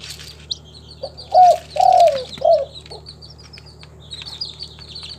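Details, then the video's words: Spotted dove (local tekukur) from a captive collection in Timika, Papua, delivering a single three-part coo, brief lead note, long falling middle note, short closing note, while thin high chirps of other birds run in the background over a low hum. "SUARA BURUNG TEKUKUR LOKAL, THE SOUND OF SPILOPELIA CHINENSIS"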